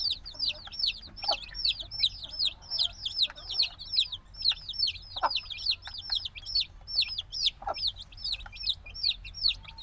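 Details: Black chicken chicks hatched a few days ago, still needing the mother's warmth, chirping noisily in a binaural field recording: a dense flock of high, sharp cheeps, several overlapping each second, with occasional lower clicks and knocks.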